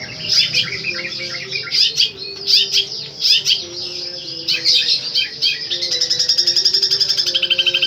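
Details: Long-tailed shrike song with beautiful repeated phrases and strong power: loud harsh squawky notes and chattering bursts, ending in a fast even rattle repeated many times per second; steady low hum in the background.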